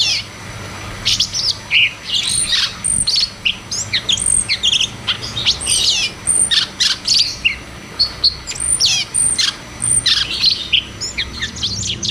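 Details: Ngeroll tembak song of cucak cungkok, used to coax silent caged birds into song. Rapid high chirps and short whistled slurs in clustered bursts, separated by brief gaps, continuing steadily throughout.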